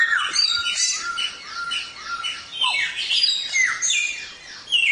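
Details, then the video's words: Samyong singing continuously in a training recording for songbirds, a dense run of bright whistled and slurred notes, many sweeping down then rising, with steady varied phrases and no other sounds. "Suara Burung Samyong | Gacor"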